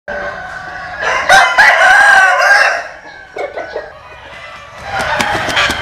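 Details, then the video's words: Rooster crowing, from a collection of Vietnamese and American Sil cock crows: a loud, harmonic, drawn-out crow lasting nearly two seconds, followed by quieter broken notes and a second crow building near the end. "Tổng Hợp Tiếng Gà Gáy/ Synthesize Cock Crows"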